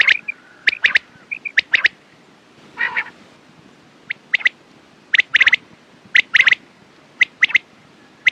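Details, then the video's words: Quail producing sharp clipped notes in doubles and triples, a few soft whistled pips, and a single harsh rasping burst midway through the run. "Quails sound best sounds use morning and night time mast awaz saaf awaz"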